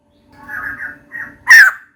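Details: Female white-crested laughingthrush seeking a mate: two soft nasal notes followed by one loud, harsh descending squawk.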